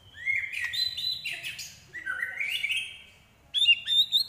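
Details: White-rumped shama song with mimicked prinia, kapas tembak and eagle sounds: long, drawn-out rising whistles with a buzzy edge, a short pause, then louder bright high whistles.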